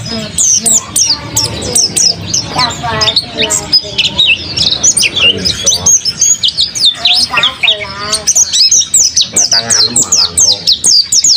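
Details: Energetic mountain white-eye in captivity pours out continuous high chirps and twitters for over ten seconds, mixed at times with lower buzzy, voice-like sounds in the background.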